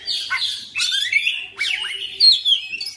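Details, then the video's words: Oriental magpie-robin in intense full-repertoire song (bongkar materi): quick bright whistled phrases with rising and falling slurs, packed closely together with scratchy chatter in between. "KACER NGOTOT GACOR FULL BONGKAR MATERI"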